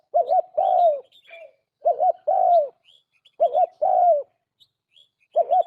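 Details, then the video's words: Captive trapped turtle dove in pure Lao calling style repeats a steady phrase about four times: two short looping notes followed by a longer, downward-sliding coo. Thin high twitters from other birds appear between phrases. "Bird trapped turtle dove sounds the best sounds សម្លេងលលកហៅបរ លាវសុទ្ធ សំឡេងល្អណាស់"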